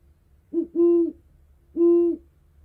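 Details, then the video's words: Great Horned Owl giving deep, soft hoots: a short note run into a longer one, then another drawn-out hoot a second later, over a faint low hum. "Great-Horned Owl Sounds"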